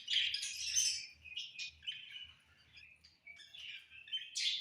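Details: Budgies warbling in the summer evening, with a string of varied chirps, squeaky whistles and raspy notes that rise and fall, loudest at the start and the end. Soft low thuds are heard throughout.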